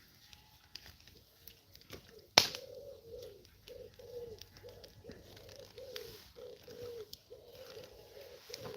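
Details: Pigeons cooing in the background, many at once, giving a steady run of soft, low, hollow notes, several per second, with a sharp crackle or knock (a fire is burning) and faint outdoor noise, on a hot night in Cornwall.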